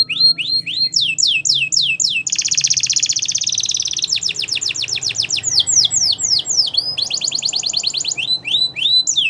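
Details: Belgian canary singing for training: a long, varied flow of falling whistled sweeps broken by loud, dense, high trills lasting over a second each, with continuous low background noise.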